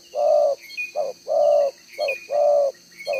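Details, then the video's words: Decoy spotted dove with a two-row spotted collar, singing its one-tail-note cooing style: paired phrases of a brief coo then a drawn-out, steady, hollow note. Faint chirps and a high insect drone in the background. "ĐỒNG gáy 1 Hậu"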